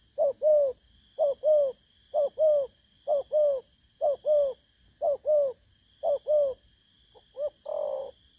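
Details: Rhythmic two-part coos from a wild-caught spotted dove in the 'bầu' style, repeated evenly about once a second, ending with a single short note and a longer rough coo; faint electrical whine present.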